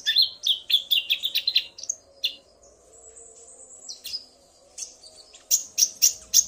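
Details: Male common iora provoked by a female's voice: a quick series of sharp chirps, a long thin steady whistle, then loud spaced chirps roughly every half second.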